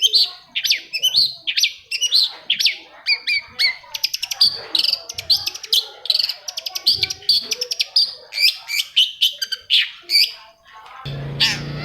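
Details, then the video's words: Long-tailed shrike (cendet) song meant to trigger stalled shrikes to sing: a dense, continuous run of chattering and whistled phrases, rapid trills mixed with rising and falling notes, ending with a brief burst of low hum. "TOETAN BURUNG CENDET INI COCOK BANGET UNTUK MENAIKKAN EMOS1 CENDET YANG MACET AGAR MAU BUNYI"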